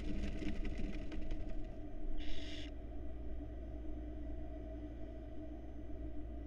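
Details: Barn owl nestlings in a nest box in Florida, 2022, sleeping while their mother is away. One harsh, breathy hiss lasting about half a second rises above a steady, loud low electrical hum, with crackling noise early on.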